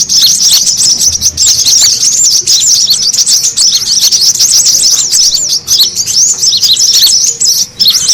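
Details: Busy, noisy chatter of brown-throated sunbirds played to attract other birds: unbroken high-pitched twitters, trills and short curling notes that pile on top of each other throughout.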